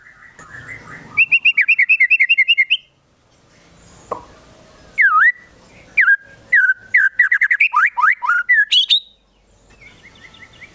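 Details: White-rumped shama song carrying konin and kinoi imitations: a fast, steady trill lasting over a second, a quiet gap, then scattered sweeping whistles and a dense cluster of varied slurred notes.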